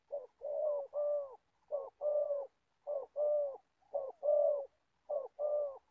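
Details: Spotted Dove decoy, an old bird kept to lure wild doves into a trap in Gia Lai, Vietnam, coos steadily. Paired hollow notes, a brief one then a longer mellow one, come five times in quick succession.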